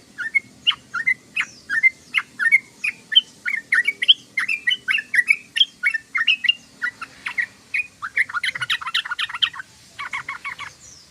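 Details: Sooty-headed bulbul singing a long chattering ngoceh sequence of quick bouncing notes for about eight seconds, ending in harsher, rapid buzzy bursts.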